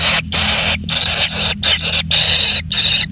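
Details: Kingfisher chick, a lone nestling pampered with abundant food, giving loud grating rasps, each lasting about half a second with short silences between.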